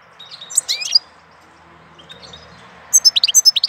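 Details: April goldfinch song: a tinkling phrase with a rising slurred note, a quiet gap with faint distant twitters, then a rapid series of clear repeated notes.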